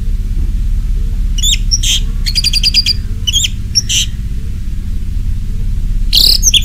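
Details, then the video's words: Orange-headed thrush in ngeplong style, used as a lure recording to set caged thrushes singing: short bursts of high, varied whistled and trilled notes with pauses between them, over a constant low rumbling hum. "Anis merah ngeplong, Pancingan Anis merah di jamin teler"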